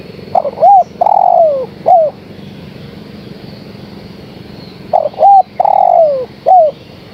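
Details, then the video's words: Female spotted dove calling the male: two matching cooing phrases about four seconds apart. Each has a stuttered start, an arched coo, a long downward-sliding coo and a short closing coo. A low hum lies beneath. "Suara Tekukur Betina Gacor Memanggil Sang Jantan"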